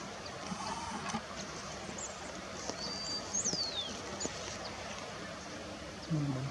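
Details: A Scarlet-bellied Mountain Tanager in Colombia gives a few thin, very high notes, one a sliding downward whistle, over a steady low background rumble, with a brief low sound at the end.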